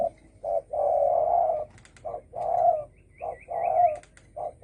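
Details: Coos of a spotted dove in the 'dong tho sam' style for provoking other birds: repeated short-then-long hollow hoots about once a second, with a thin wavering whistle from another bird in the background.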